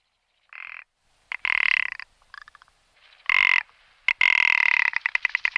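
Rock ptarmigan giving harsh, croaking rattles in short bursts, ending in a fast dry stuttering trill; no other sounds stand out.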